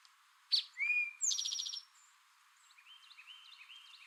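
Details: A male Eastern towhee gives one clear 'drink-your-tea' phrase: a sharp note, a lower slurred whistle, then a fast buzzy trill. Softer chips from another bird follow.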